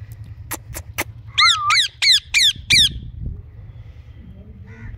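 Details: Pet ringneck parakeets, green and blue colour forms. Sharp clicks lead into five harsh, descending screeches roughly a third of a second apart, with a low background hum.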